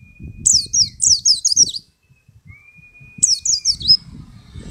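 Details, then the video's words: A wild-caught white-eye (pleci), two weeks after being picked from a group, sings two bursts of fast, high twittering with quick descending notes; a steady thin tone hums between phrases. "Pleci Ombyokan 2 Minggu Gacor"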